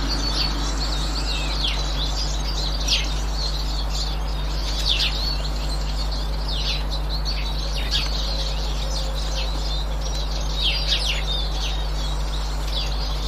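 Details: Eurasian siskins on 18 March 2024 keep up a high, chattering twitter with louder downslurred call notes popping out every couple of seconds, over a constant low hum.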